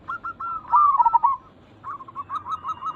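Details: Local zebra dove, of local and Bangkok crossbred stock, calling as a lure to draw replies from other zebra doves: a loud bubbling, stuttering coo phrase in the middle, with softer rapid trilled cooing before and after.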